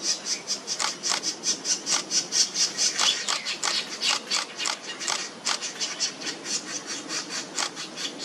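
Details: Laced woodpecker male feeding two chicks at the nest hole in Chinese Garden, regurgitating food; a steady run of harsh, rasping, squeaky notes about twice a second, the chicks' noisy calls dominating throughout.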